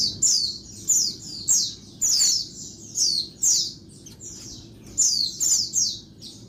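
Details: High, sharp, falling chirps from a female Oriental white-eye in daytime, calls meant to stimulate males, coming in bursts about once a second over faint hiss.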